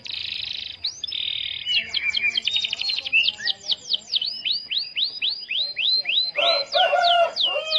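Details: Starblue canary singing continuously to stimulate other canaries to sing. Buzzy rolling phrases lead into fast, repeated upward-swept whistles, then a series of slower descending slurred notes, with lower warbles near the end.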